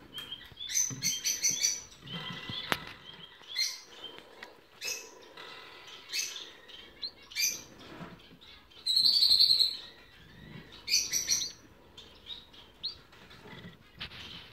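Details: Young cut-throat finches (Amadina fasciata), sibling nestlings from 2018, give a busy stream of thin, high chirps and short squeaky notes, several birds overlapping at an uneven pace, with one brief buzzy trill.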